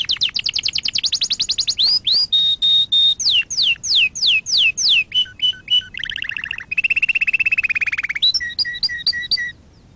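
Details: Canary song used for training canaries, a long varied sequence of tours: fast trills, falling whistled slurs, steady held notes, a lower rolling trill and clipped high chips at the end.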